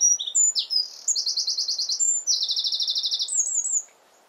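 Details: Wren singing in full song against the wind, a fast high burst of clipped notes leading into two long, even rattling trills, then a few sliding whistles before stopping abruptly; faint wind hiss below.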